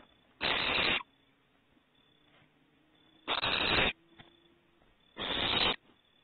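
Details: Owlets venturing outside the nest for a second time, Starr Ranch, April 21, 2018, produce three rasping, hiss-like screeches of about half a second each, spaced two to three seconds apart, with faint low hum and small clicks between.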